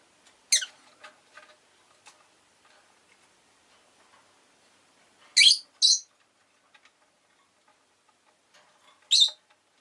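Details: Rosy-faced lovebird gives a shrill descending chirp, then after a long quiet pause two quick piercing calls, and one more near the end, with faint ticking in between.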